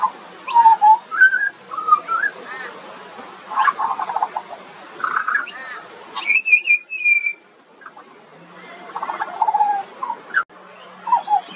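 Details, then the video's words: Juvenile pied butcherbird in Australia giving a varied song of fluting, wavering whistles, rising and falling slurs and buzzy bursts, with a higher thin whistled phrase midway and brief pauses between phrases. "Butcherbird. Bird Singing. Bird Call and Sounds"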